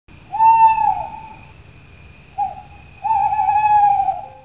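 A mottled wood owl gives three steady, mid-pitched hoots: a long drawn note, a short one, then another long one. A faint high thin whine runs underneath.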